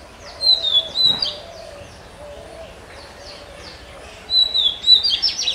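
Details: Magpie robin, the national bird of Bangladesh, singing clear high whistled phrases with short slurred notes, quiet in the middle and resuming near the end, over a steady low wavering hum.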